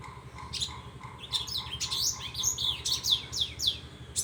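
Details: Softer, varied Horsfield's bush lark song: scattered chirps building into quick downward-sweeping notes and twitters, with a steady low background hum.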